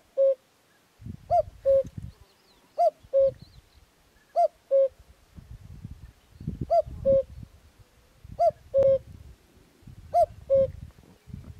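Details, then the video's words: Free-living common cuckoo in Extremadura delivering a steady run of seven cu-coo pairs, each a higher note stepping down to a lower one, roughly every one and a half seconds, over intermittent low rumbling noise. "Canto del cuco común"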